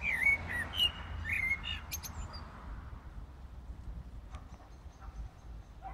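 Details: Common blackbird singing at night in Brussels, Belgium, early morning of 15 January 2018; brief warbled whistles and thin high twittering at the start, then fading to quiet urban background with faint distant clicks.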